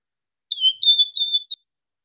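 A Wing-snapping Cisticola gives a high, thin whistled phrase of three slurred notes run together over about a second, ending in a short sharp note.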